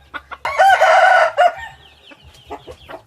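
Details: Hybrid red junglefowl rooster giving one loud, harmonic crow that lasts about a second and is held at a steady pitch before it ends abruptly. Faint small-bird chirps and a low hum follow.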